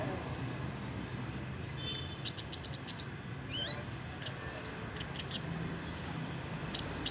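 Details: Young Javan bush lark still learning to sing, its song not yet full: thin high chirps, short clipped notes and one rising whistled slur, scattered over several seconds above a steady low hum and hiss.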